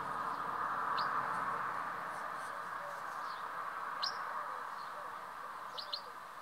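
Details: Three young house martins in a nest under a roof, late July afternoon, give brief, high, upward-flicking chirps, single or paired, a second or two apart, over a steady background hum.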